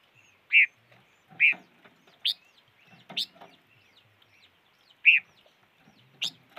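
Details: Bird calling in a run of loud chirps, some lower and rounder, others sharper and higher, spaced unevenly under a second apart, with soft background twittering.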